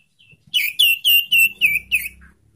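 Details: Young sirtu used to encourage caged birds to sing, delivering six loud, high chirped notes in quick, even succession, each slightly slurred downward, over faint low background hum.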